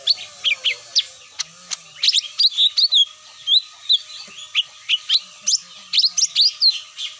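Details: Cucak mini lure sound, claimed to bring the birds down: scattered high chirps building into a brisk series of sharp whistled tweets and quick slurred notes, with a faint background hum.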